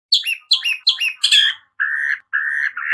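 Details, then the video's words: Long-tailed shrike learning to imitate chick sounds (piyikan): four harsh, descending chirps in quick succession, then three longer, flat, buzzy notes, the last rising at the end. "Suara burung cendet belajar bunyi piyikan"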